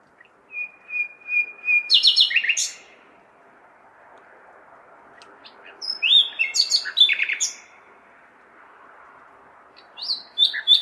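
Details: Three song phrases from a common nightingale on a May night in a city: a long steady whistle leading into rapid clicking notes, then later bursts of varied chirps, over a constant urban rumble.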